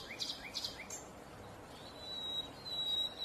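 A Common Hill Myna gives three quick rising chirps, then a long, thin, high whistle held steady for about a second, against faint background hiss.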